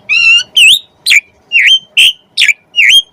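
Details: Asian pied starling in gacor isian song, played to get other birds singing; seven clear whistled notes, each dipping then rising, repeated about twice a second.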